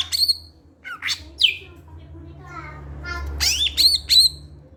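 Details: Greater green leafbird voice used as a lure to draw other leafbirds into singing: varied sharp chirps and slurred high whistles, a short run of harmonic nasal notes, then quick bright whistled phrases, with a low hum beneath.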